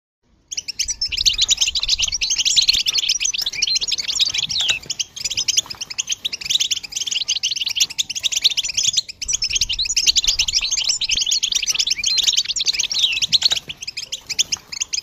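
Zebra finches chatter busily, a steady stream of high, clipped chirps and squeaky song phrases.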